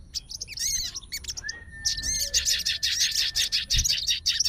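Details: Aroused sooty-headed bulbul of fighter type, responding to a rival's voice. A few looping whistled notes and one long level whistle lead into a dense, continuous run of fast, high chattering.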